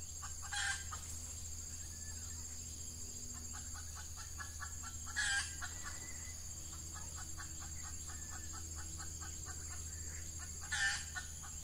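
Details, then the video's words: Red junglefowl lured with an F1 decoy hen in the Ramadan breeding season, early morning in hot weather: long runs of quick clucks broken three times by short loud harsh bursts, over a steady high insect-like drone. "Ayam Hutan Pikat Betina F1"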